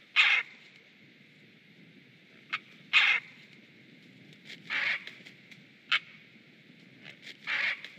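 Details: Two great blue herons give alert calls several times at night, 22:13 on 5 April 2017: harsh, raspy squawks in about six bursts over eight seconds, the loudest at the start and near three seconds, above a faint low hum.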